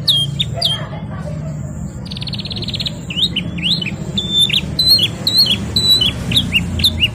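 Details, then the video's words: Canary singing in varied phrases: a short buzzy rattle, then repeated thin upslurred chirps and brief whistles over a noticeable low rumbling background. "KENARI GACOR NGEROL NEMBAK | CANARY SINGING"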